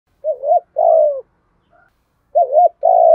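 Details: Spotted dove with a thổ pha đồng voice style, giving fighting-challenge and calling coos: two short wavering double notes, each followed by a longer falling coo, in a quiet setting.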